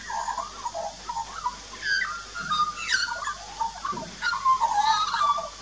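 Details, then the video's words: Adult and juvenile Australian magpies duet at a backyard birdbath in Australia, filmed 2 March 2018 on a Nikon Coolpix P900: mellow warbled notes mixed with quick rising whistles and bright upswept chirps, in a busy, continuous run. "Australian Magpies Duet"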